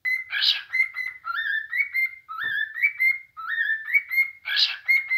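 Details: A caged cockatiel, calling when bored, gives a run of clear, rising whistles broken by two harsh, raspy screeches.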